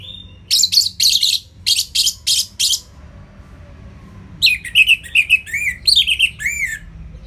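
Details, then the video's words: Orange-headed thrush singing ngeplong: a series of loud, clipped buzzy notes, a brief hush, then varied looping whistles that dip and rise in quick succession. "ANIS MERAH Ngeplong"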